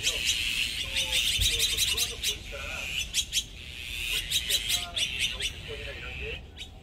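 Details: Azure-winged magpies, a flock of these resident Korean birds known for strong family bonds and group defence, giving harsh, rapid, buzzy chattering calls in quick bursts, overlapping one another, with softer lower notes beneath.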